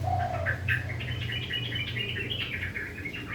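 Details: Kept sooty-headed bulbul singing actively in the morning in a rough, chattering 'ngriwik' style: a falling whistle opens, then a rapid run of short, choppy chirps and twitters, with steady low hum behind.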